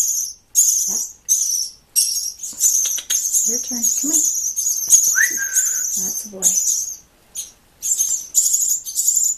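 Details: Three rescued nestlings of unknown species, possibly robins or starlings, found in a nest placed in a machine, begging while hand-fed every 20 minutes: loud, very high, hissing shrieks in bursts, with a sliding whistle and human noises between.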